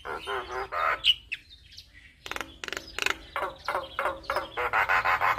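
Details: Javan myna singing to lure replies from other mynas: harsh grating chatter, a pause, then a rapid string of rough repeated notes about three per second.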